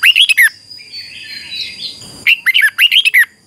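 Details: Red-whiskered bulbul in singing-contest training, two bursts of sharp rising and falling whistled notes separated by a quieter gap with soft mixed chatter and a thin steady tone.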